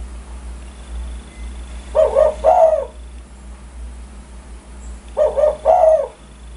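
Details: Spotted dove in lively voice, a 'kuk 1' call said to stir other birds into calling. Two low cooing phrases about three seconds apart, each a short hoarse note then a longer, wavering one, with a faint constant hum beneath.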